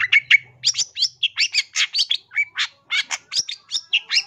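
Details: Long-tailed shrike singing loudly and actively in a training recording for cage birds: a fast run of harsh, scratchy chattering notes and short whistled slurs, packed closely with brief gaps, plus a faint low hum early on.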